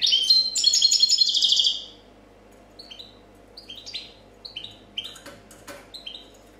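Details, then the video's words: Copia-style song of a 2014 champion European goldfinch: an intense, buzzy run of high twittering for nearly two seconds, followed by soft repeated falling double chirps and a few clicks. "Chardonneret chant copia champion 2014"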